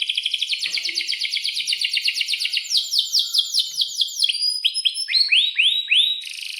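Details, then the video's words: Vocal Atlantic canary kenari pouring out long rolled song for young birds to copy: fast chattering trill, then repeated sweeping downslurs, then widely spaced rising whistled notes and a closing buzz. "kenari gacor panjang buat pancingan kenari paud belajar bunyi agar NYAUT"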